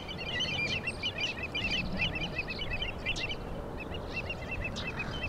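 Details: Killdeer calling on 26 May 2012, captured with a Panasonic GH2 camera: quick runs of short, bright repeated notes in rapid series throughout, with a background of low rumbling noise.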